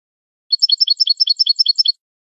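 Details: Malagueño song of a domestic canary, intended for training other canaries: a quick rhythmic roll of high two-note chirps, steady and evenly spaced for about one and a half seconds, nothing else audible.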